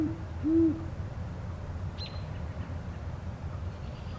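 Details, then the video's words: A male Great Horned Owl hoots after sunset on 10 March 2020 in Forest Park, St. Louis, Missouri, USA. Deep, soft hoots come near the start, then a faint high chirp from another bird, over a low background rumble. "Male Great Horned Owl Hooting After Sunset"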